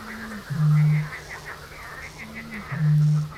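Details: Eurasian bittern caught by a camera trap on 7 May 2017: two very deep, hollow booms, each led by a short, slightly higher intake note and spaced about two seconds apart, with small birds chattering in the background.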